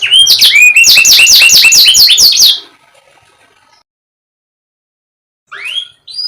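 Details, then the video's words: Canary song aimed at getting a silent, lazy canary to sing: a fast repeated trill of high down-slurred notes, roughly three per second, lasting two and a half seconds, then silence and one faint rising whistle at the end. "KENARI MACET❓MALAS BUNYI⁉️ KASIHAN‼️Nih Kicau Paling Ampuh Dan Mewah"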